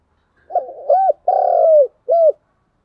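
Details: Spotted dove used as a decoy, cooing to challenge rivals in a dueling display: a three-part phrase of a low wavering opening coo, a long throaty sliding middle note and a short clipped final coo, with a quiet background.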